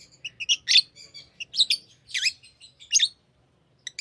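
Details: Tame lovebirds giving a run of sharp, high chirps and scratchy twitters, irregularly spaced, with a steady faint low hum in the background.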